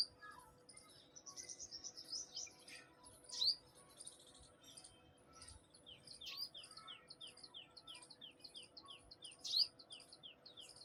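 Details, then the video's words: In the morning in a home terrace garden, a sunbird gives high, thin chips and quick downslurred twitters, with two sharp rising squeaks; other small birds chatter faintly alongside. "cute little sunbird making pleasant sound in morning"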